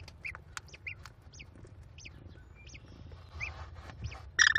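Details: American kestrel chicks, five in a Cornell nest box on 18 May 2021, beg while their mother feeds them: scattered short chirps and downslurred peeps, ending in a sudden loud rasping squeal.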